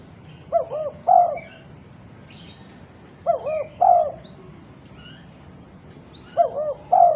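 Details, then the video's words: Repeated calling by a vocal female spotted dove summoning other doves: three identical low phrases about three seconds apart, each two brief hoots then a longer emphatic coo, with faint distant bird chirps in between. "Tekukur betina gacor memanggil tekukur lain"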